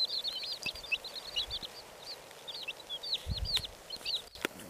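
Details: Red Silkie chicks chirping steadily, a stream of thin high peeps, some sliding upward, with a couple of sharp clicks and knocks near the end.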